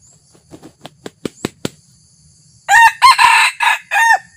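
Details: Red junglefowl decoy bird, newly trained and taken out for the first time to lure wild junglefowl: several sharp clicks or taps, then a loud harsh crow in four or five rasping bursts with a ringing tone.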